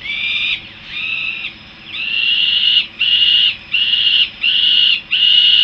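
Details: Harrisburg, USA, young peregrine falcons coming back to their nest: seven strained, nasal wails. Two softer, shorter cries come first, then five louder, level, drawn-out calls in quick succession, against faint steady background noise.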